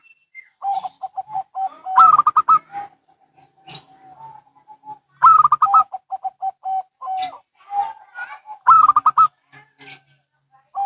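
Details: Local and Bangkok zebra doves answering each other continuously, alternating fast, rippling coo bursts with runs of short, steady lower coos, about every few seconds.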